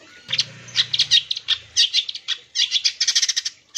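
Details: Lure song of a long-tailed shrike meant to provoke rivals to sing: bursts of harsh, buzzy chatter and high squeaks, with a low humming sound under the first two seconds, ending in a dense, rapid rattle.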